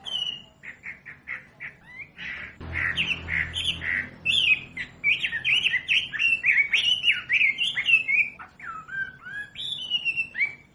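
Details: Captive wambi song used as a training recording for teaching other caged birds to sing: a dense, lively run of varied whistled and chirping notes, rising and falling quickly, with some notes overlapping and little pause.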